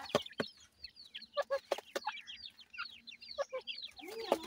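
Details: Cared-for partridge chicks keep up a busy chatter of piercing, downslurred peeps from several birds, with knocking sounds and a brief lower rasping note near the end.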